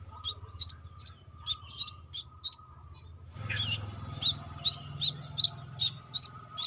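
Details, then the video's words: Brown-throated sunbird, female calling male, in busy trotol style: sharp high chirps repeated about once a second, with a burst of louder chattering midway over a steady low hum. "BURUNG KOLIBRI KELAPA TROTOL GACOR"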